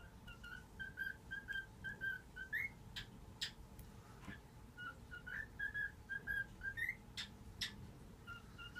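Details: Pet cockatiel indoors in the morning, waking its owners by whistling "If You're Happy and You Know It": two phrases of clear, bouncy whistled notes around one pitch, each ending in a rising note, with a pause between and sharp clicks or taps.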